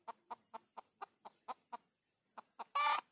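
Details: Junglefowl recorded while luring wild birds: a steady series of eight evenly spaced clucks, a short pause, two more clucks, then an abrupt loud harsh rasping burst closing the sequence.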